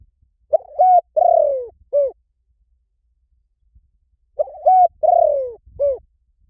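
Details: Spotted dove call used to lure wild doves, said to draw them quickly in any forest. Two low, mellow cooing phrases sound about four seconds apart, each a short doubled coo, a longer falling coo and a brief final note, in a quiet setting.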